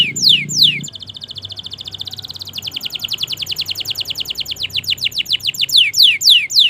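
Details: Canary in long song used to stir silent canaries: loud downward sweeps, a fast shimmering trill, then evenly repeated descending whistled notes growing louder.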